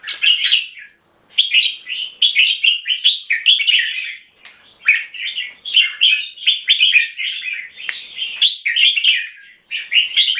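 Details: Singapore-kept red-whiskered bulbul in full song with solid keke: rapid repeated bursts of chattering, warbling whistles, phrase after phrase with short breaks, loud and clear against silence.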